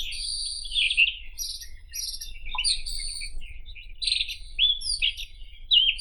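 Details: Song of the White-throated robin: drawn-out buzzy trills broken by squeaky, swooping whistles and crackling notes, in a fast, irregular flow.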